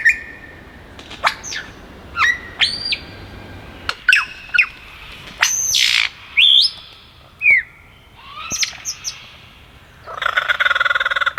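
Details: ['Male superb lyrebird singing from trees in the Dandenong Ranges east of Melbourne, a renowned mimic moving from tree to tree. Separated bursts of sharp upswept whistles, ringing notes and a falling slur, then a buzzy rattling burst at the end.']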